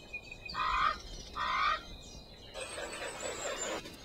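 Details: Hawaiian crow or ʻalalā (Corvus hawaiiensis), the world's most endangered corvid, gives two harsh, slightly rising caws about a second apart, then softer, rough murmuring notes.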